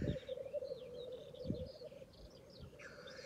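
Black grouse give a steady, low bubbling coo that rolls on without pause, with a few low thumps and faint higher chirps from other birds behind.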